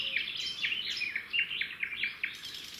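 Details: Red-backed shrike nest by a road in the wild, the female feeding the chicks a grasshopper brought by the male. About nine sharp, high, downslurred chirps repeat rapidly in a brisk series.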